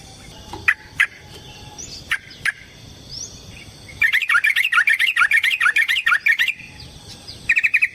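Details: Yellow-vented bulbul in a provoking fight song: a few isolated chirps first, then a rapid bubbly warble of rising and falling notes lasting about two and a half seconds, ending with a short trill.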